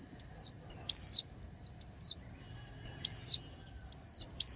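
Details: Female white-eye singing late in spring. Loud, high whistled notes slide downward and repeat at uneven gaps of about a second, some louder, some softer. Faint low background hum.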